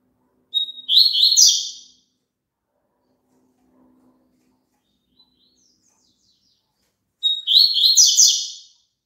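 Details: Two short phrases of double-collared seedeater song about six seconds apart, each a thin opening note running into a fast, high, scratchy twitter, over near silence. Played to prompt a caged bird to sing along.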